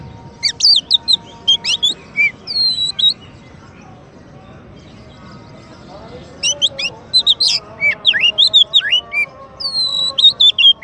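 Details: White-rumped shama, a champion songbird used as a master song for training, delivers bursts of high whistles and trills, pausing about three seconds before resuming with sliding notes over a low background hum.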